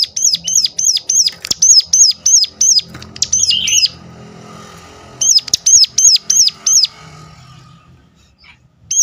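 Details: Sunda warbler calling sharply to coax others of its kind to sing: long series of high hooked notes around three per second, a lower chattering interlude, then another run after a pause.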